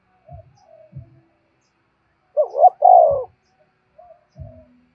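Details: Spotted dove giving a single luring coo phrase for wild doves: a quick rising note then a sustained falling one, framed by quiet low thuds and soft murmurs.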